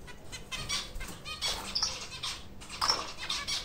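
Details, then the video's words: A pair of white English zebra finches building a nest from sacking fibres in captivity; short nasal harmonic calls come in scattered bursts, mixed with wing flutters and rustling. "لانه سازی فنچ زبرا | پرورش فنچ | صدای فنچ"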